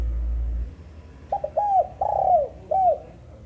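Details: One full cooing phrase from a female spotted dove. A short stuttered note comes first, then a hooked coo, a long grainy coo that slides downward, and a final rounded coo. A low rumble is heard at the start.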